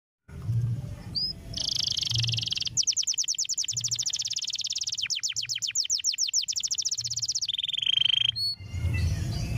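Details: Canary singing a stimulating song: a brief whistle, a steady high buzzy note, then long runs of rapid, high rolling trills, ending on a pure sustained tone and a sharp note over a low background hum.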